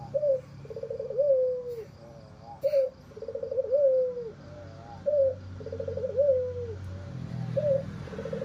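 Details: Red-eyed white albino Barbary dove with a hoarse voice, cooing repeatedly: about four husky phrases, each a short rolling burr followed by a longer falling coo, roughly every two seconds, with a faint low rumble behind.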